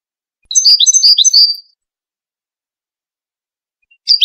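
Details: European goldfinch of the Moroccan Widani type, singing for chicks to learn from: one quick phrase of sharp, high chirps and slurred whistles lasting about a second, then a brief new phrase starting after a pause.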